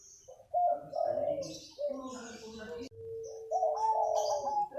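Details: Local wild-type zebra dove singing its manggung coo early in the morning: trilled coos, a lower warbled stretch, then a clean sustained note topped by a rising rolling trill. Distant high chirping from other birds.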